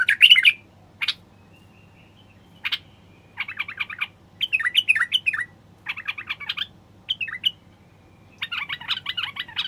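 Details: Male common bulbul singing to stimulate silent wild bulbuls and encourage females to mate and build nests. Clear whistled notes, bouncy warbled phrases and a final rapid chattering series, spaced by short pauses.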